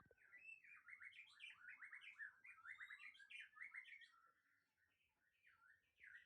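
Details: White-rumped shama of the Aceh type, a breeding hen. Quiet, fast chatter of short, rising and falling notes, packed several per second, with bright higher phrases near the end.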